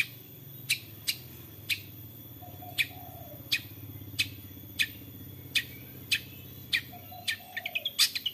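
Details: Long-tailed shrike in lively 'toet toet' calling, played to lure other shrikes into song: a long series of sharp, harsh notes about every half second, ending in a fast stuttering burst, over a low background hum.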